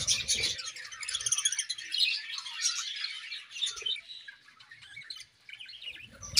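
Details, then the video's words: Morning warbling from a budgerigar pair in an aviary: steady high chattering of quick chirps and scratchy notes that gradually quietens. Low rustling thumps come at the start and end. "A Beautiful Morning with Budgie Pair | Serenade in the Awesome Aviary"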